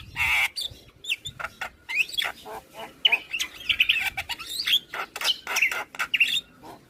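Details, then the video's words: Javan myna in morning song said to make neighbours' mynas reply straight away: a loud harsh burst, then varied clicks, chatters and twisting whistled notes running on with short pauses. "Jalak kebo Pagi Hari Suara Kicauannya Bikin Jalak Tetangga Langsung Nyaut"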